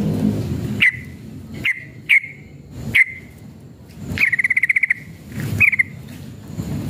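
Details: Male sooty-headed bulbul in fighting mood, a provoking lure for other bulbuls: a few separate clear whistles gliding downward, one drawn-out note with a rapid rattling trill, amid quiet rural background noise.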